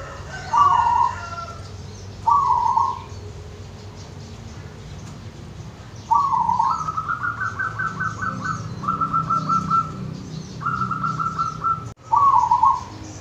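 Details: Wild local zebra dove from the countryside of Wonogiri, recorded for playing to pet doves that have stopped singing: short rolling, trilled coos, then a longer run of rapid staccato cooing phrases, ending with another rolled coo over a low steady hum.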